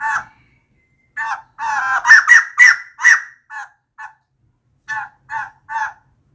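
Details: Harsh, cackling calls of a female white-crested laughingthrush, used as a decoy sound: a rapid run of raspy, loud notes in the middle, then a few spaced, shorter rasping notes after a brief pause.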